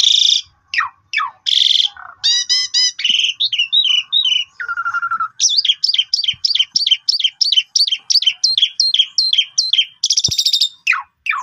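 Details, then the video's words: Pied myna in full varied song, used to coax quiet birds into singing: harsh bursts, downslurred whistles, rattles, a low steady note, then a long run of about twenty repeated sharp chirps. "Suara Emas Super Panjang Cocok Buat Pancingan Semua Burung Pasti Nyaut (Jalak Uren Gacor Full Isian)"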